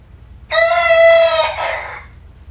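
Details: Pet hen giving a strange noise repeated throughout the day, possibly an attempt at crowing: one loud, drawn-out, harmonic tone held steady for about a second, then a lower, fading tail.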